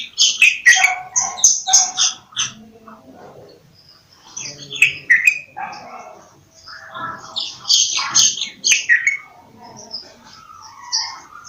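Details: Bulbul call notes in a crowded chorus, with quick bursts of chirpy, bubbling phrases at varied pitches, clustered at the start and again near eight seconds, while other small birds twitter continuously.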